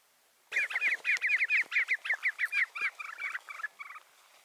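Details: Rufous-bellied seedsnipe giving a loud, rapid run of harsh, rattling notes, about eight per second for three seconds, fading and slowing at the end; background otherwise quiet.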